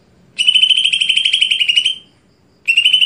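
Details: Greater green leafbird voicing a loud, steady buzzing trill lasting about one and a half seconds, followed by silence and the start of another identical trill.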